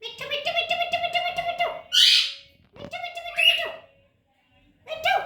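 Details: Baby parrot talking indoors: harmonic, voice-like nasal syllables in short runs, with sharp squawky bursts between phrases.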